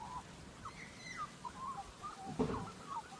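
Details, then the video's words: Australian magpie producing odd technical-sounding calls: scattered brief warbled and slurred notes with a few higher thin whistles and a short rough burst near the end, set against faint hiss. "Listen to Australian Magpie's strange sounds"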